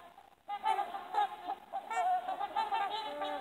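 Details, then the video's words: Trumpeter swans calling as a group, a rapid series of brassy, nasal honks, some rising and bending in pitch, several birds overlapping after a short quiet opening. "Trumpeting Trumpeter Swans"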